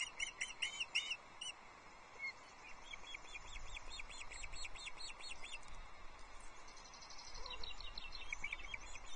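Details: Osprey at its nest at Loch Arkaig, Scotland, 22 June 2024, as the male brings a second fish, a small whole trout, to the chicks. Series of high, sharp whistled notes, several quick runs, over steady hiss from a nest camera.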